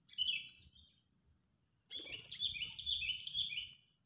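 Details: A sooty-headed bulbul used to lure birds into a trap calls angrily: a short chirping phrase, a pause, then sustained loud chattering with repeated sharp, falling notes.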